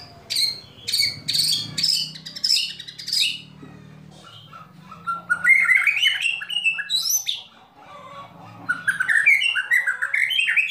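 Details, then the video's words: Oriental magpie-robin delivering rattling calls and sharp 'shot' phrases to provoke other birds into song: repeated harsh, buzzy high bursts about every half second, then a loud, varied stream of whistles, trills and sliding notes, with a faint low hum. "Kretekan Dan Tembakan Murai Batu Memancing Emosi Murai Langsung Gacor"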